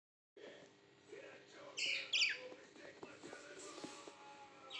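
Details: A baby budgerigar gives a few bright, scratchy chirps over a low background murmur.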